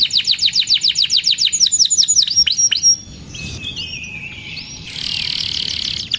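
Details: Canary song used to encourage silent or stressed canaries to sing: a run of quick falling chirps for three seconds, then a quieter pause with soft slurred whistles and a rich rolling trill.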